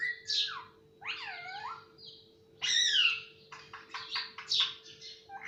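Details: Pet parrot that talks, reportedly saying papa and mummy; drawn-out, curving voice-like tones followed by a quick run of clipped chattering syllables, with a faint constant hum underneath.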